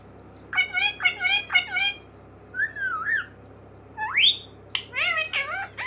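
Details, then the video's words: Talking parrot (mitthu) at home, taught "mummy papa": clipped repeated chatter, a wavering whistle, a sharply rising whistle and more squawky syllables over a steady low hum. "मम्मी-पापा बोलने वाला सुपरस्टार मिट्ठू || 100% असली बोलने वाला मिट्ठू | Viral Parrot Talking Video"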